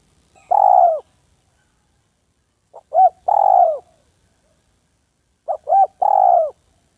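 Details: Village spotted dove calling to a rival and a wandering female: three phrases, each made of one or two clipped coos leading into a longer, falling coo, repeated about every two and a half seconds over a quiet background.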